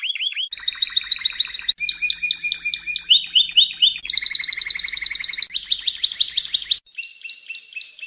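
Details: Canary of the Spanish Timbrado breed singing in training audio from 2014–2015, moving quickly through distinct tours: soft slurs, bell-like rapid trills, buzzy rolls and sharp repeated notes, with faint low hum beneath.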